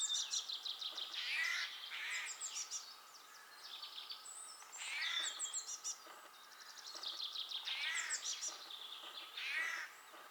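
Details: Eurasian jay in Belarus on a spring morning, 12 April 2020; repeated bursts of harsh, rasping and chattering notes with some higher squeaky elements, coming in groups of several calls over about ten seconds.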